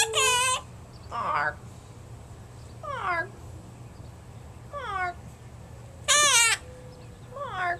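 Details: A pet male Quaker (monk) parakeet, 11 months old, talks in six short harsh speech-like phrases spaced about a second apart, some rising, some falling, in a quiet room; recorded April 30, 2010.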